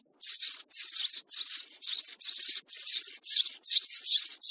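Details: A young sparrow, in a 2024 lure recording for bird trapping, chirps in quick, bright, scratchy bursts, about two or three a second, high-pitched and steady with short gaps between.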